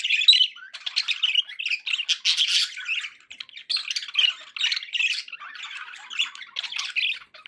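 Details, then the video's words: Budgerigar pets sounding happy: rapid broken chirps and rasping warbled notes in short bursts, with brief gaps between phrases. "happy budgie sounds"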